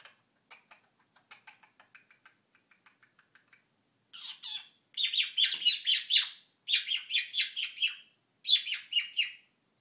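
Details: Quaker parrot kept as a pet, indoors: soft scattered chirps at first, then a loud run of harsh, grating squawks given in quick rhythmic series of four to six notes with short pauses.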